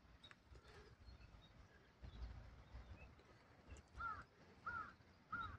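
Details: Bird calls at Jizo Pond park in Oasa-cho, Zentsuji, Kagawa Prefecture, Japan, recorded on a Sony Xperia phone. Three short, hoarse calls come near the end, spaced under a second apart, over a steady low outdoor rumble.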